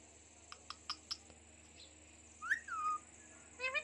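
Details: Indian ringneck parakeet kept as a talking pet: soft clicks first, then a bright upswept whistle sliding into a falling tone, and a short harmonic syllable at the end over steady background hum.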